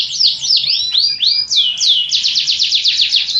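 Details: Loud canary song of swooping downward-slurred whistles followed by a fast, evenly repeated high trill to the end.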